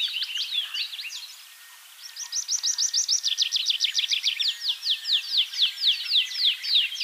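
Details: Singing Tree Pipit, Bakkum, the Netherlands, 2023. Brief varied notes, a short pause, then a long steady series of loud, high downward-slurred notes repeated about four per second, gradually slowing and dropping slightly in pitch.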